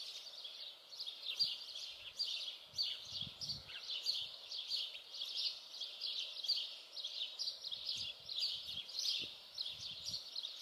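Common house martins keep up a dense, dry twittering chatter of short, high chirrups from several birds at once, with a few low knocks and rustles underneath.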